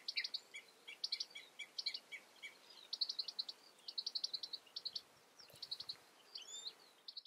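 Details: European goldfinch calling, with repeated clusters of quick tinkling, twittering notes roughly every second over low environmental hiss.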